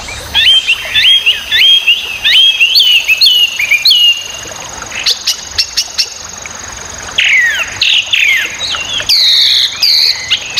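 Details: Chinese hwamei, called wambi locally, a very noisy singer kept as a tutor for songbirds such as magpie-robins, pours out loud, rapid whistled phrases with up-and-down slurs, breaks off with a few sharp clicks, then resumes with swooping descending notes over a faint steady high hum.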